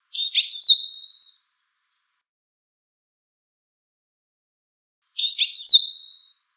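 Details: Wild Japanese tit calling: two separate high calls, each a cluster of sharp clicky notes sliding into a drawn-out thin whistle that fades, spaced about five seconds apart against otherwise silent background.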